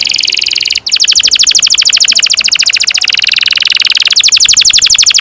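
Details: Chattering canary in continuous 'ngerol panjang' (long-rolling) song, used to tutor young birds: dense, high, buzzy trills of rapid repeated notes, broken by one brief gap near the start, then rolling on steadily.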